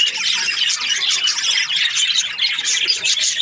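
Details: Chirping from a happy budgie: fast, overlapping scratchy chirps and squeaky notes pulse on and off in quick bursts over a steady high chatter.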